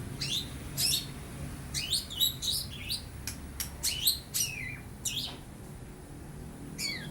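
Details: Young long-tailed shrike, bill still partly pale after moulting from spotted plumage, giving lovebird and house sparrow imitations: scattered sparrow-like downslurred chirps, single or paired, spread irregularly over several seconds.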